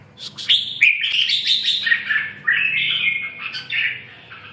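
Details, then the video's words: A red-whiskered bulbul delivers a busy, warbling song of bright whistles and quick trills, nearly continuous across the clip, with a low steady hum behind. "Kênh về Chim chào mào"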